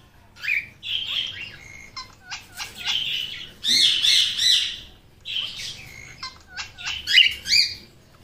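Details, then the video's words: Talking parrot kept as a pet makes bursts of harsh chattering and squawky notes, with brief whistled slides and a dense noisy outburst midway, repeated in irregular phrases. "Hero the Talking Parrot | Bolny wala tota"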